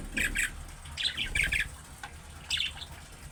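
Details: Budgerigar calling in a chick-like manner meant to make other budgies answer: short bright warbled chirps in quick pairs, several bursts spaced about a second apart, light background hiss.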